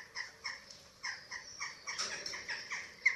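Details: Chick feeding at a Eurasian eagle-owl nest on a webcam in Germany, 27 March 2024. Quiet, evenly spaced, squeaky downslurred notes, about three per second.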